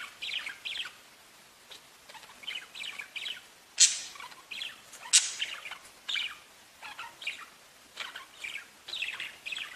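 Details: Pet budgerigars singing: long stretch of soft rambling warble of scratchy chirps, broken by two loud sharp squawks, over faint hiss.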